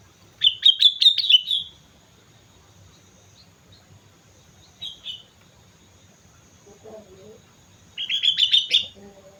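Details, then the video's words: Lively song of a sooty-headed bulbul on Mount Slamet, a rippling phrase of fast slurred notes, a short chirp, then another bubbling phrase; faint lower chatter from another bird. "suara burung kutilang gacor gunung slamet"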